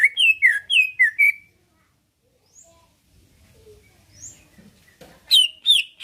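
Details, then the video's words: Greater green leafbird kept in captivity, its song meant to draw replies and fights from rivals: five rapid looping whistles, a quiet stretch with soft faint sounds, then two loud piercing whistled notes at the end. "Cucak ijo lain liat dan dengar kicauannya bakal nyaut+gacor+tarung"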